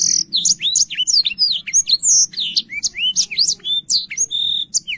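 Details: Lively Black-throated canary song meant for tutoring young canaries: dense chains of sweeping whistles and chirps, some notes sliding downward, one steady high trill near the end, and a quiet low hum behind.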